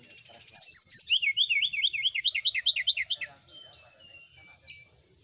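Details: Sooty-headed bulbul singing actively at night, a tutor recording full of varied fill notes: high sweeping whistles, then a fast run of rising zigzag notes repeated about twice a second, fading to softer twitters, with a brief sharp note near the end.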